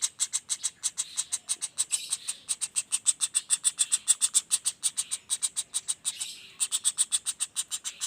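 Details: Juvenile common flameback producing a continuous chatter of sharp, grating notes about three per second. The run is interrupted briefly twice, with a soft rustle in the breaks.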